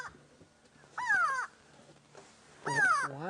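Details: An upset Grey go-away-bird screaming above observers on a safari drive gives two harsh, nasal, drawn-out screams about a second apart, each slurring downward like "go-away"; such calls serve as alarm when predators are seen.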